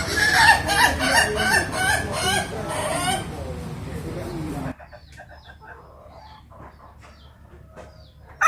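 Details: Ayam ketawa rooster from Meulaboh giving the ngokok laughing crow: a loud, fast series of staccato cackling notes for about three seconds that fades into quieter sounds, with a sudden noise at the end.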